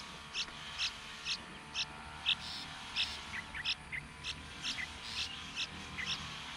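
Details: Hungry yellow-vented bulbul chicks being fed by their mother in the sun: short, high, sharp cheeps repeated about twice a second, some paired, over a faint low hum.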